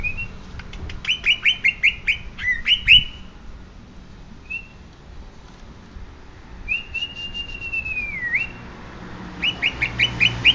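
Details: Greater green leafbird of the Banyuwangi type, said to be a genuine one: bursts of short upswept whistled notes with sharp ticks, a pause, then a long drawn whistle that dips and rises, ending in another rapid run of whistles.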